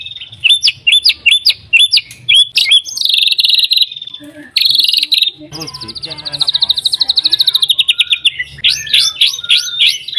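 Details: White-rumped shama song, intended to provoke other shamas into song: rising whistled notes, a long strident buzz, a harsh burst, a drawn-out rapid trill sliding downward, and closing upslurred whistles.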